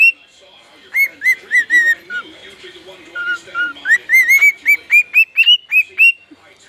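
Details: Male pet bird singing a bright whistled series of quick upward-curving notes, a short lower stretch in the middle, then a steady rhythmic burst of repeated chirps rising gently in pitch; faint background hum.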